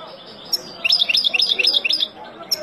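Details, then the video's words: Wild European goldfinch singing to teach young birds: a rapid run of bright, high twittering notes with quick liquid trills, bracketed by single sharp chips at the start and end. "اروع تغريد طائر الحسون البري لتعليم فراخ"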